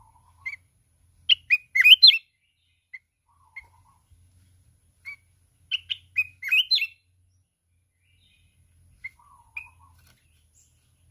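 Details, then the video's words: Singing in contest and beating its wings repeatedly, a mountain red-whiskered bulbul with a wild 'kít bổi' voice gives two loud, tumbling whistled phrases about four seconds apart, separated by isolated short chirps. "Chào mào núi hót cực xung, đập cánh liên tục"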